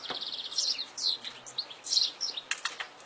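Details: Goldfinch singing in the wild, a dense chatter of quick high twitters, rising and falling slurs and a brief rattling trill near the end.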